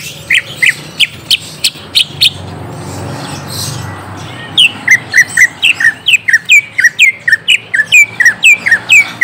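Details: Young wild-caught green leafbird lure song meant to make the bird answer: loud, sharp, slurred whistled notes repeated quickly, with a brief quieter gap midway and then a fast steady run of bright down-curving chips.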